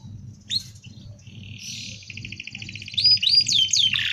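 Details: Canary with a dense rolling song meant for tutoring other birds: a sustained buzzy trill over a low steady hum, finishing with a few bright looping whistles.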